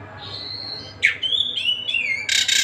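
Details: Kacer Tasik, an Oriental magpie-robin, singing. A long thin high whistle comes first, then a sharp note, level and slurred whistles, and a final harsh burst, against a soft noisy background.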